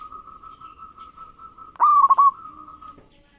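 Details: Local zebra dove in lively song meant to provoke rivals: one loud, short phrase of a clear note followed by three quick rolling pulses, over a steady thin whistled tone that runs throughout.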